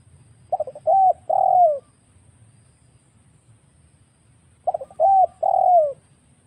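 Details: Wild spotted dove used as a trapping lure, giving two matching phrases about four seconds apart, each a quick stutter of notes followed by two soft sustained coos, the second falling at the end.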